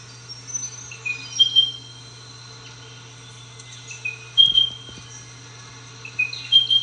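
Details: Spotted pardalote calling with a soft three-part whistle, a lower note and then higher paired notes, repeated three times at uneven gaps, with faint ticking and a low background hum.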